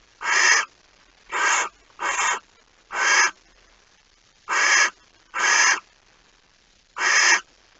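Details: Harsh breathy hisses from a barn owl at its nest early on 26 August 2019, during delivery of a mouse: seven noisy bursts over eight seconds, each roughly half a second, at uneven intervals.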